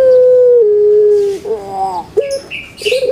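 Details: Barbary dove (puter pelung) kept as a cage bird, giving a loud drawn-out pure tone that dips lower after half a second. A rolling, gurgling burst of broken notes follows, then short rising notes.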